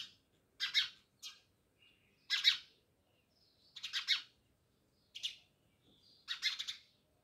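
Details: Many house sparrows near a village house in Jamnagar chirping in short, bright, harsh bursts, each a quick cluster of notes separated by brief silences, with an occasional thin faint note between bursts.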